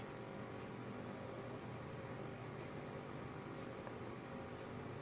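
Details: Steady hiss and electrical hum fill the recording throughout, with no calls, song or other creature sounds.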